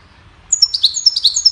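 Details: Goldfinch chirping to teach birds: after brief quiet, a quick string of high, clear, tinkling notes and downward-slurred twitters follows at a brisk pace.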